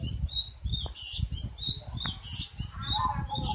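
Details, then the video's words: Strange call of a long-tailed shrike: quick repeated high chirps and harsh bursts, some paired, with a brief lower whistled note near the end over a steady low rumble and background clatter. "Cendet suara aneh"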